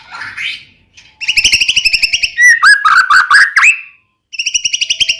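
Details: White-rumped shama song to draw another shama into singing: fast rattling trill, a cluster of slurred whistles and clicks, pause, then the rattling trill again.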